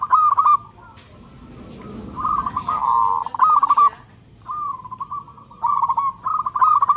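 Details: Loud, ringing local zebra dove song to seek a mate: repeated bursts of fast, clipped coo notes at a steady pitch, some phrases drawn out into rolling trills, with brief quiet gaps.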